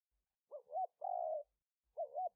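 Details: Decoy spotted dove recorded live on a smartphone in Roi Et, Thailand, 2021, for luring wild doves: a wavering double coo, a sustained drawn-out coo, then the wavering double note begins again.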